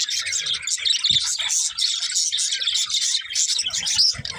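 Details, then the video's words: A group of budgerigars chirping: overlapping high warbles, clicks and thin squeaks form a busy chatter, with a few brief low knocks in the background. "Cute Budgies Chirping Sounds"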